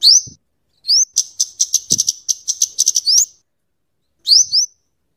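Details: Scarlet-headed flowerpecker, known locally as kemade or cabe cabean, singing for luring and tutoring birds: high thin rising upslurred whistles, then a rapid run of sharp ticking chirps near one pitch, ending with more rising whistles.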